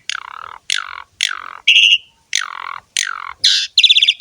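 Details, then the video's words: Asian pied starling singing actively, a recording used to train and lure young starlings into song: harsh descending squawked notes repeated about every 0.6 seconds, broken by buzzy, higher rasping notes and a short trilled burst at the end. "JALAK SUREN GACOR ‼️ MASTERAN DAN PANCINGAN BURUNG JALAK"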